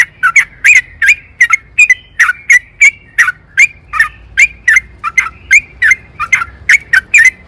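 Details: Trucukan (yellow-vented bulbul) singing energetic 'ropel panjang' long-rolling song, played to coax birds into singing: loud, harsh, chattering notes repeated nonstop, roughly three per second, slightly irregular.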